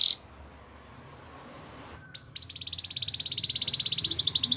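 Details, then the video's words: Spanish Timbrado canary: after a short quiet pause a single upslurred note leads into a fast, even metallic trill that grows steadily louder, over faint background hiss. "Melodies canary bird song | Spanish timbrado singing"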